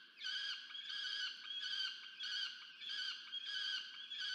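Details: Nest-camera recording of a peregrine falcon chick begging its parent for food, Orange, New South Wales, Australia, 13 November 2022: insistent, harsh, whining screams, about a second apiece, pulsing in quick succession with short dips between.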